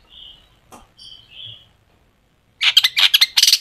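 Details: Long-tailed shrike, a lure recording to get shrikes singing; a few thin, faint whistles, then after a pause a loud burst of dense, harsh chattering notes in quick succession.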